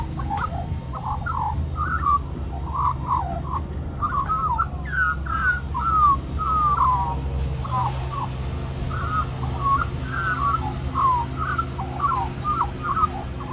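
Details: At lunchtime in Cirillo Reserve, Middleton Grange, New South Wales, Australia, a magpie sings for more mango while others gather. A long series of short, fluty warbled notes, dense and continuous, over a low rumbling background.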